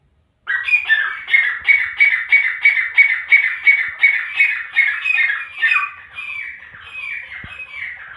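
A Grey francolin gives a loud, harsh series of grating notes, about three a second, holding steady and then fading slightly; nothing else is heard.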